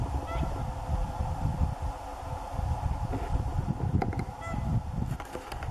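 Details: Two separate honking Whooper swan calls, one early and one near the end, each brief and harmonically rich, heard through loud low rumbling background noise and a few clicks.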